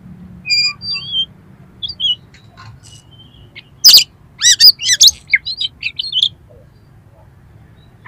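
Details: Oriental magpie-robin song of coarse material aimed at agitating another bird: soft scattered whistles at first, then a loud harsh burst and a dense run of rasping, sliding notes before silence.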